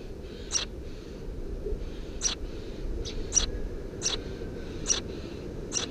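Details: Eurasian tree sparrow chicks, three nestlings under a house roof, recorded 2 June 2017: scattered thin, high chirps, about six, spaced irregularly between half a second and a second and a half apart, over a low rumbling background.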